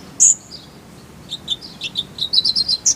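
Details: Kolibri ninja (sunbird) song used as a tutor recording for caged songbirds: a sharp high chirp, a pause, then a quick series of thin, high twittering notes that rise into a bright burst at the end.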